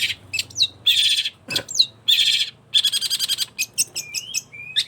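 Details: Vigorous long-tailed shrike song: long grating buzzes broken by quick falling whistles, then a choppy run of short notes and a couple of drawn-out level whistles.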